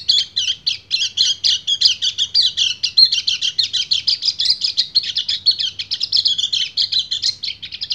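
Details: Long, continuous 'ngecir' song of a breeding male white-eye luring a female: quick staccato chirps at the start flowing into a rapid high warble that never pauses.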